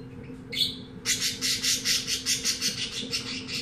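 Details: Caged canary bought at a pet shop sings a short whistled note, then a rapid series of pulsed trill notes, about four per second, over a low hum.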